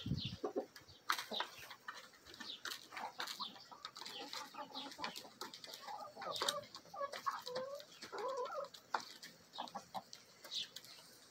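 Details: Backyard chickens feeding: a Bielefelder × Golden Cuckoo Marans rooster with Marans, Araucana, Easter Egger and Olive Egger hens cluck and murmur softly in short rising and falling notes, with sharp pecking and scratching sounds throughout.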